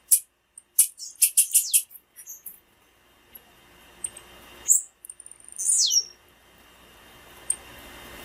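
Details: Rapid clusters of sharp, high chips open this female blue-black grassquit calling, used to warm up males, followed by scattered ticks and a thin, falling whistle.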